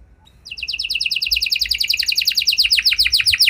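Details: After a brief quiet start, a canary launches into a rapid rolling trill of repeated sweeping notes, song meant to get other canaries to reply.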